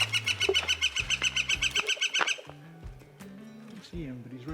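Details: On the Arizona Trail, descending into Weber Creek around midday, a Mexican Jay gives a quick series of harsh, ringing notes, about three or four a second, before a man's voice takes over.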